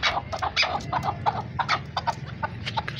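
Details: Caged male chukar partridge (Alectoris chukar), farmed, gives a rapid run of harsh, clucking chuck notes, about three per second, over a low background hum; the male's voice is said to be heavier than the female's.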